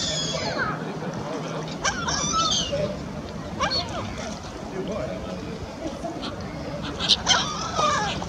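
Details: A territorial pair of Lesser black-backed gulls at a restaurant give harsh, nasal "Mine!" cries in several short bursts with upward head jerks, bending down and up in pitch over a steady rush of noise and possibly a voice.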